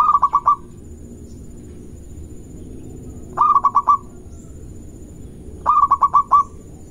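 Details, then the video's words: Local zebra dove singing a rival-provoking lure song: three short phrases about three seconds apart, each of four or five quick, bubbling coo notes, against a steady low hum. "Perkutut Lokal Gacor Cepat Bikin Emosi Lawan"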